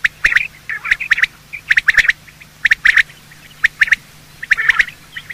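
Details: Male and female quail heard at morning, the calls used for quail hunting: short bursts of squeaky chirps and hard clicks, grouped in clusters about every second with quiet gaps between.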